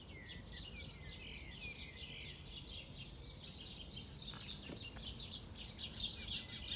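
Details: Flock of sparrows chirping in El Retiro park on 18 April 2020, during coronavirus lockdown. Dense, overlapping high chirps and quick twittering notes come rapidly and irregularly over a steady low rumble of background noise.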